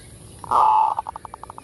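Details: Single kerot phrase of a zebra dove used as a lure, a loud vibrant coo followed by a rapid, evenly spaced train of about ten short clipped notes.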